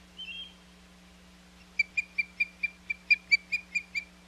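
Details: Osprey calling at its Hog Island nest on 21 May 2021; after a brief thin whistle, a run of about eleven piercing chirped yelps, roughly two per second, over a constant low hum.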